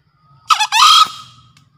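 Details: Male green junglefowl in full breeding condition, crowing for use as a luring master: a harsh two-part call, a short rasping note then a longer buzzy, broad-toned syllable fading out, in quiet surroundings.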